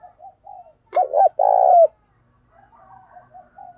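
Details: Decoy spotted dove cooing to lure wild doves: soft low murmured notes, then a loud two-part phrase, a throaty rolling coo followed by a long vibrating hoot that drops at the end, with faint cooing trailing after.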